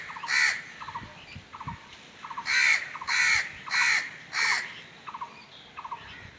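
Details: Crow giving four loud, harsh caws in a quick run, each a broad rasping note, with softer, shorter caws from more distant crows before and after.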